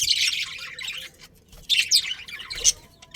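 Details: Budgerigars in a breeding colony chattering busily: dense, scratchy high warbles and squeaky chirps in overlapping bursts, with a brief lull before a fresh burst of rapid twittering.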